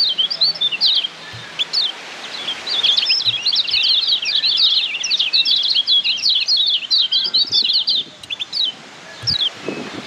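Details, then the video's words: Lombok white-eye (kecial kuning), a caged bird's tutor song used to train other birds: rapid chattering high twittering with quick up-and-down slurred notes, broken by short pauses, faint low thumps beneath. "Masteran Kecial Kuning PADANGAN Ampuh Bikin Kecial Cepat NEMPEL"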